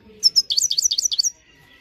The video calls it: himalayan gold finch clean voice singing